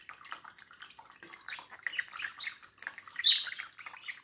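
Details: Indoor pet budgerigar at a mirror: soft, continuous gurgling warble of chirps and clicks, swelling toward the end with a bright high squeak.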